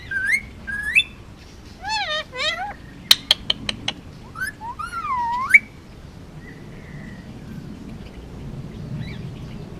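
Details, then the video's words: Male Indian ringneck, almost two years old and hand-raised on Oahu, Hawaii, produces bouncy swooping whistled phrases, a quick rattle of sharp clicks, then a long rising whistle and faint trailing notes. "Indian ringneck talking and making noises"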